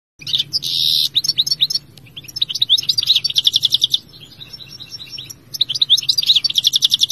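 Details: European Goldfinch singing: bright twittering song of rapid tinkling notes and buzzy trills, with short repeated phrases broken by brief pauses; constant faint low hum beneath.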